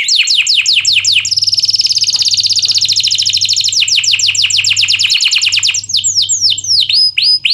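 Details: Canary song used as a tutor recording for lazy canaries: fast descending trills of sweeping notes, then a buzzy rolling tour and rising whistled slurs, loud and continuous, with a faint low hum underneath.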